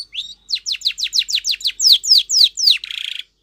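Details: Canary training song (Spanish Timbrado style): a rapid series of about a dozen high, downward-slurred whistled notes, four per second, ending in a short buzzy trill.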